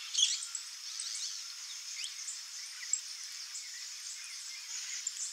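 A free flock of saffron finches gives scattered bright chirps and short twittering notes over a steady high hiss of background noise.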